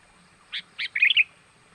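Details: Sooty-headed bulbul luring call, used to draw wild birds in: two short bubbly notes, then a quick run of liquid, warbling notes, all in under a second, over a quiet background.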